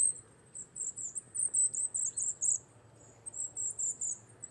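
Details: Wintering Wallcreeper on a rock wall in the Czech Republic: clusters of very high, thin twittering notes in several short runs, pausing about a second between groups, over a low steady rumble.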